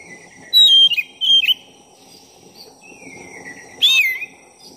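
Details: Black-breasted oriental magpie-robin in lively song, used to rouse another magpie-robin's temper. Two quick bursts of clear whistled notes open the phrase, a long level whistle rises slowly, and a final loud slurred note dips away.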